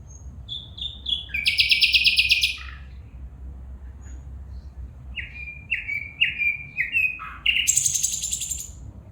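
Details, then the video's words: Female bulbul calling: short clear chirps that slide downward in quick series, broken by two bursts of harsh, buzzy chatter, over a steady low background hum. "بلبل پرندہ کی خوبصورت آواز میں فیمل بلبل بلا رہا ہے"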